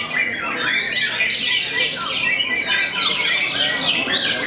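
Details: White-rumped shama with a reputation for making opponents back down, singing looping whistled slurs and upward sweeps mixed with harsh chattering, nonstop and evenly loud.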